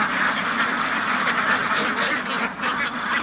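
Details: Ducks kept at a duck farm, a dense crowd of quacks running together into a continuous rough babble with no pauses, individual nasal calls rising briefly above the mass.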